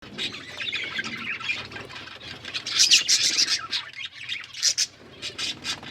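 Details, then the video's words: Pet budgerigars eating green food, giving dense, high chattering chirps and squawks, with bursts of sharp clicks and bright warbled notes, fairly continuous throughout. "Budgies parrot eating green food birds chirping sounds"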